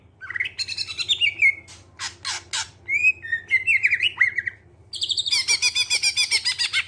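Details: Greater green leafbird song, a clear-voiced lure for other birds: whistled descending phrases, broadband clicks, then steady rapid harsh chatter to the end. A low hum continues in the background.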